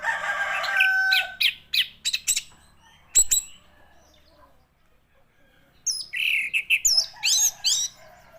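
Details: Orange-headed thrush delivering sharp chirps and harsher notes, a single loud click-like burst and a pause. A lively cluster of rising and falling whistles ends the phrase.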